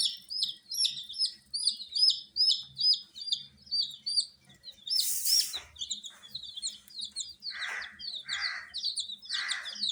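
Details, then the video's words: Baby chicken chicks under heat peep in quick succession, clear high notes dropping in pitch, about two or three per second, interrupted by a loud broadband knock and then a few hoarse bursts. "Witty MURGI Baby "Chicks Chirping" Sound"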